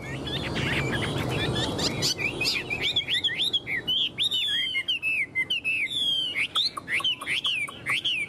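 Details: Caged, tame Chinese hwamei from Vietnam sings a fast stream of clear whistles, with rising and falling slurs and quick trills. It is repeated in bursts with short gaps, over faint low background noise.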